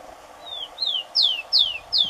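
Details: Rufous-collared sparrow song from Brazil, where the bird is called tico-tico: faint falling whistles lead into three strong downslurred whistled notes repeated at a steady pace, with a soft hum underneath.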